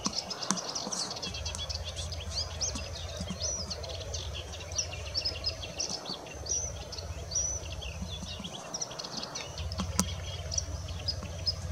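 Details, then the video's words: Moustached warbler giving a fast, rambling chatter of high scratchy and sweet notes, with a steady low rumble coming and going underneath. "Moustached Warbler"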